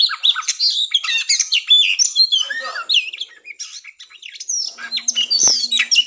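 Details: Oriental magpie-robin singing in fighting mode (tarung ngobra), used to stir breeding drive before competition: fast, overlapping high whistles, trills and harsh chattering notes, a short quieter pause midway, then renewed sharp phrases and a low faint hum.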